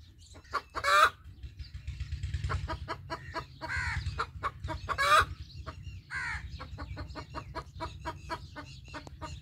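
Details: Rooster sounding an alert with rapid, staccato clucks broken by several loud, rasping squawks, set against a low, steady background hum.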